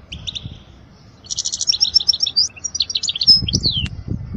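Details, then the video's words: Goldfinch song for young birds to learn: soft opening notes, then a quick buzzy trill leading into high tinkling twitters and a descending slurred whistle, with low thumping sounds late on. "اجمل غناء لتعليم صغار الحسون"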